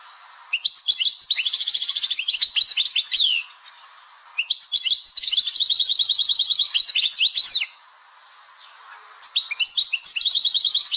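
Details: Caged Algerian goldfinch singing in the style known as laglag. Three bursts of rapid, high, tinkling song separated by short pauses, mixing sharp chips with sustained, liquid, jingling trills.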